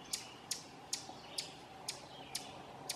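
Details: An Ovenbird at Silvio O. Conte National Fish and Wildlife Refuge, Essex County, Vermont, on 18 June 2016 scolds with sharp, dry, high chips, about seven in three seconds at a slightly uneven pace, over a faint low background hum.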